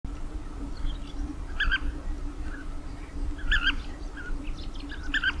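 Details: European bee-eater (Merops apiaster) giving short, rolling, liquid 'prruip' calls in scattered bursts every second or two over a steady low rumble of wind or distant noise.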